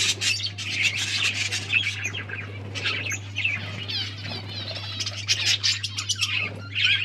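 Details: Colony of breeding budgies keeps up a continuous mix of squawks, chirps and warbled twitters from several birds at once, over a constant low hum.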